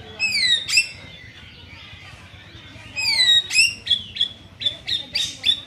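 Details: Young white-rumped shama being trained, giving high descending whistled notes and sharp clicks, then a rhythmic series of short high chips repeated several times per second.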